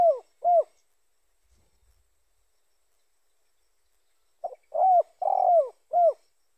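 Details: A spotted dove's lure call: two falling coos end one phrase, then after a pause of nearly four seconds a full phrase follows, a short note, a clear coo, a long burry coo and a crisp falling coo, with nothing else audible.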